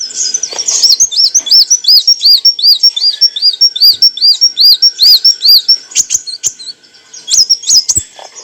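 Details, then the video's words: Olive-backed sunbird song used as training material for cage birds: a long rapid series of high arched chirps, about two or three per second, followed by sharp ticks and brief twittering. "kicauan burung kolibri wulung - suara jernih untuk masteran & pancingan"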